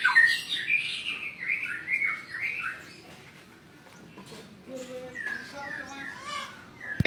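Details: White-rumped shama song used as training material, loud fast whistled and chattering phrases at first, a quieter gap, then softer trilling notes and a sharp click at the end.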